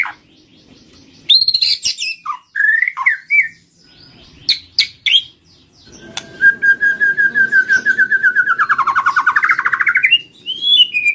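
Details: White-rumped shama lure song: sharp high chips and varied whistled phrases, then a long rapid trill of repeated notes that dips and rises before ending in a clear whistle.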